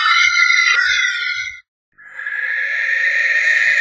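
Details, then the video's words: Harsh rasping screeches from a barn owl: one cut off after about one and a half seconds, then a second drawn-out hoarse scream, with soft low knocks underneath. "Barn Owl Song! Barn Owl Call! Barn Owl Sound! - Lechuza Común / De Campanario Canto - Tyto Alba"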